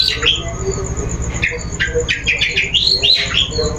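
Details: Long-tailed shrike lure song, played to provoke a bird into singing: a quick jumble of harsh squawks and scratchy chirps, with short upward and downward sweeps that crowd together toward the end. A faint steady high tone runs underneath.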